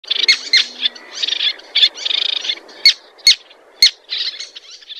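Little tern giving high, grating chatters and sharp, clipped 'kik' notes in quick bursts, with several short, snappy calls near the middle.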